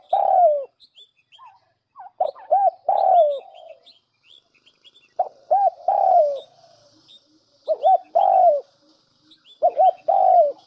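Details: Lure recording of a spotted dove repeating a doubled coo and a long descending croo every two seconds or so, backed by steady high twitters of other birds.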